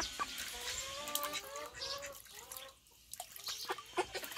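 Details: A blue call duck gives a quick run of high, nasal quacks over about two seconds, then quieter calls with other farmyard sounds behind.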